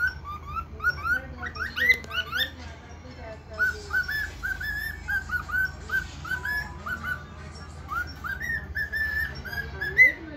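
A cockatiel whistles a run of bright, rising and falling notes, a mimicked bark mixed into its song.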